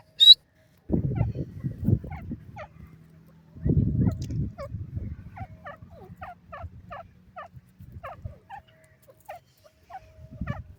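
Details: Grey francolin, known locally as teetar, of the Dakhni teetar type: a long series of short, sharp, faint notes repeated about every half second, with heavy low thumping bursts and rumble underneath.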